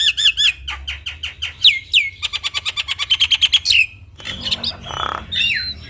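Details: Javan myna singing actively with full fill-ins, meant as a tutor for young mynas: sharp looping whistles, then a fast series of about fifteen even clicking whistles, ending in harsher squawks and buzzy notes.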